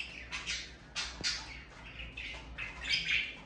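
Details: Morning chatter of pet budgerigars: rapid, overlapping scratchy chirps and squawks follow each other closely, with one sharp click early on and a faint low hum underneath.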